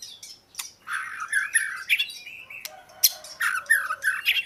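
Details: Oriental magpie-robin singing: varied whistled and scratchy phrases with short harsh notes and pauses between bursts.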